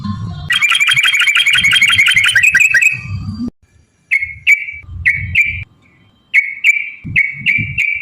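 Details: Yellow-vented bulbul song used as a lure to set other bulbuls singing: a fast rolling trill for about three seconds, then separate short bubbly phrases with gaps, over low background rumble.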